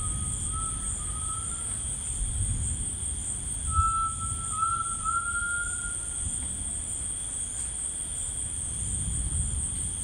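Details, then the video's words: Tinamou singing in rainforest: two long, pure whistled notes, the first short and level, the second longer and slowly rising with a small step upward, over a steady buzzing insect chorus and rapid ticking insects. "The Singing Tinamou"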